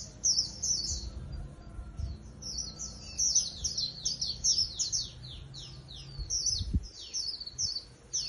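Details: Wild-caught Japanese white-eye as a cage bird, delivering a long, lively run of high thin notes, many sharply descending slurs in quick succession, with light low background noise and one knock.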